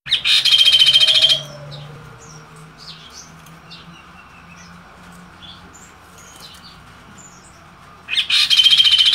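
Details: Chestnut-capped babbler chirping: a loud, rapid buzzy rattle of evenly pulsed notes lasting over a second, a quiet gap with faint scattered high chirps, then the same harsh rattle again near the end.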